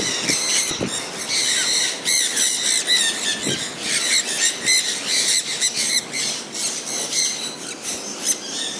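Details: Sun conures calling while enjoying rainfall: a dense chorus of loud, rasping screeches, uneven in rhythm, some longer squeals, over constant hiss of rain and a few low knocks.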